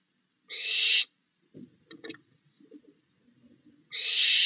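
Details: Barn owl at a backyard owl box, June 22, 2022 at night, with fledged owlets still fed by the male parent. A rasping half-second screech is followed by soft low knocks and rustles, then a second screech.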